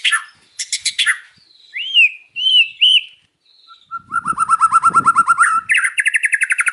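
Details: Loud afternoon song of a white-rumped shama: rattling bursts, three arched whistles, a pause, then a long fast trill with a steady whistled tone and a quicker high rattle to close.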